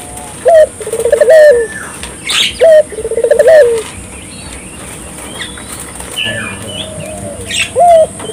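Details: Puter dove calling energetically, played as a lure to set local puter doves calling: low rolling coos in short bursts, with a pause midway filled by chirps and twitters from other small birds, then a final single coo.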